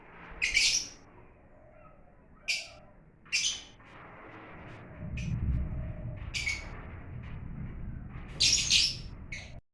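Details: Lovebirds giving harsh, high squawks in short bursts, some doubled, scattered through the recording over a steady low rumbling background noise.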